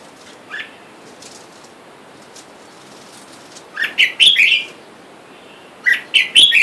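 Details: Red-whiskered bulbuls, a caged male and female with wild birds calling for a mate outside; an isolated chirp, then two loud bursts of liquid, chattering phrases several seconds apart, each made of three or four quick notes.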